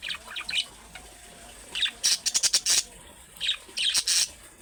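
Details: Young-style budgerigar calls meant to prompt caged budgerigars to reply: scratchy chattering bursts, then a fast string of about seven clipped, noisy chirps, followed by more raspy squawks.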